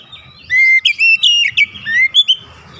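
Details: Oriental magpie-robin singing aggressively at a rival, unloading its repertoire: a long clear whistle followed by a tumbling sequence of rich slurred and trilled phrases, with a soft low rumble beneath.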